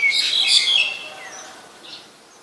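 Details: A Black-collared starling in Ubon Ratchathani, Thailand, on 25 December 2019 gives a burst of harsh, chattering, high-pitched notes with a few thin whistles, fading out within about a second and a half.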